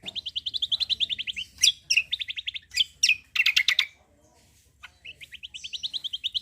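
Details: Cucak kombo singing gacor, full tembakan. Long rapid trills of high chattering notes, about three per second, break into loud piercing bursts, pause briefly, then resume the quick trill.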